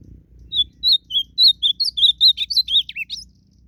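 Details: Singing duel of a wild blue-black grosbeak: a whistled phrase of a dozen or so notes, evenly paced at the start, then quick slurred and rising-falling notes to the end, over soft low background noise.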